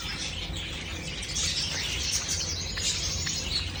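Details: Pet Java sparrows twittering continuously with thin high chirps and short notes overlapping, over a low steady hum and some rustling.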